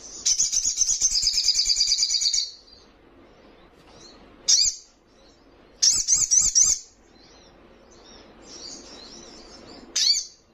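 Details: Rival-provoking young Little Spiderhunter (sogon trotolan) opens with a two-second high rapid trill, then gives a sharp chip, a short wavering trill burst, soft twitters and a final sharp note.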